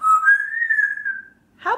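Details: Pet African grey parrot, a female, indoors: a long, clear whistle gently rising then slowly falling, followed by a brief harsh squawk.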